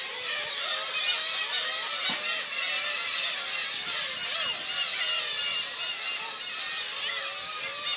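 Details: A dense chorus of high, squealing, overlapping calls from a crowded black-tailed gull colony at Kabushima, Aomori, in June, where chicks amid people's feet eat sardines regurgitated by their parents.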